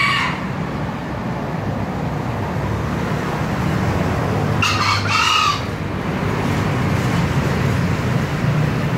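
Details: Green junglefowl giving its crow: a short, harsh, two-part burst midway, with a fainter call at the start and constant low-pitched background rumble throughout.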